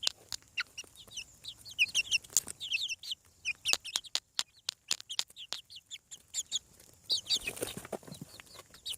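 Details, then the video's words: A group of chicks hatching from eggs on a farm keeps up continuous high peeping, strings of sharp falling chirps mixed with frequent loud clicks and knocks. "Chick sounds. Hatching From Egg"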